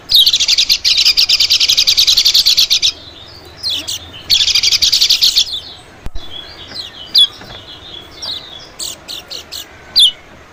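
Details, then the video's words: A white-eye lure for attracting little birds: long harsh rapid-fire buzzing chatters, followed by scattered high, slurred chirps and short trills. "suara PIKAT PLECI"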